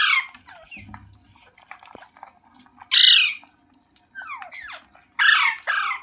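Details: Ringneck parrot letting out loud, harsh screeches, each about half a second long, separated by quieter downslurred chattering notes, in a near-silent room.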